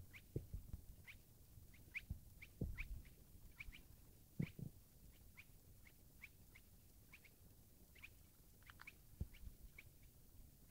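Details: Spotted crake calling at Lille Vildmose on 17 June 2012: short, sharp, upward-flicking whip notes repeated rapidly and unevenly, often two or three each second, over a steady low rumble with occasional soft thumps.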